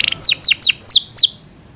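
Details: Short phrase of a kept Yorkshire canary: five loud, high, downward-sweeping whistled notes in quick succession, then silence.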